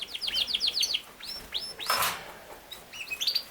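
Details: Yorkshire canary, a king size canary, gives a quick string of falling chirps followed by several longer arched whistles, with a brief burst of broad noise midway.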